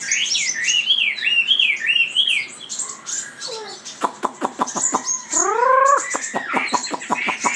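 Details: Hwamei song opening with a run of rolling whistled phrases, then a stretch of sharp repeated notes and a loud rising slurred whistle, continuing with varied fluty notes.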